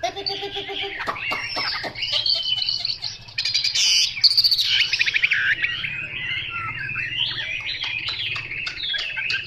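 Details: Chinese hwamei singing a dense, fast run of varied whistles and warbles that slide up and down. A low buzzy tone and short ringing notes open the phrase, and a few harsher bursts come midway.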